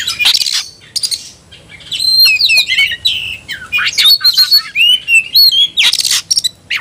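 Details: Fighting-mood Oriental magpie-robin in display pours out a dense stream of harsh rasps, thin squeaky whistles and wavering slurs in quick succession, with a loud harsh burst at the start and another near the end.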